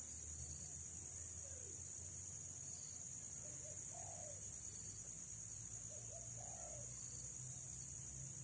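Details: Female spotted dove, described as a feisty lure bird used for trapping, gives soft, low, rounded coos spaced a few seconds apart, faint beneath a loud, steady high insect drone and a rural background hum.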